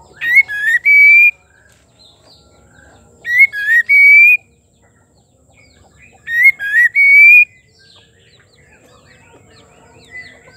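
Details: White-rumped shama female singing to provoke males into song: three matching whistled phrases about every three seconds, each a burst of sharp notes closing in a drawn-out rising whistle, with faint soft notes between.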